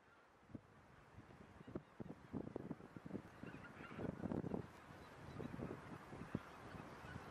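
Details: Mixed goose flock of a few thousand, mostly White-fronted Geese with Tundra Bean, Egyptian, Barnacle and one Pink-footed Goose, grazing undisturbed in the Sassemse Floris Schouten Vrouwenpolder on 26 January 2017; dense overlapping short honks and cackles, swelling midway, constant chatter.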